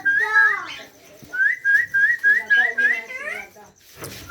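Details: Rose-ringed parakeet chicks at feeding time, begging with a rapid series of short, harsh, harmonic-rich calls that rise and fall, about eight calls in under three seconds, then a pause and a final call.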